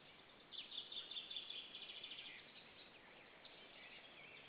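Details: Estonian nest near Saunja, evening of 26 April 2013: white-tailed eagles calling toward another eagle. A fast run of high, pulsing yelps lasts about two seconds, then trails off into fainter notes and hiss.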